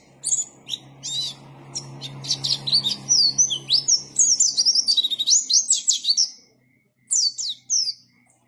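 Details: A white-eye pours out a long, rich twittering song of densely packed high notes and rapid trills. A low rumbling hum sits underneath at first, and the song fades into two short closing phrases.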